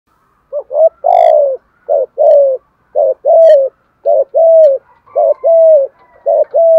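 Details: Spotted dove, a lure bird, giving the urgent 'thúc gù' coo style: repeated phrases of two short hooting notes and a longer falling coo, about one per second, with faint high clicks now and then.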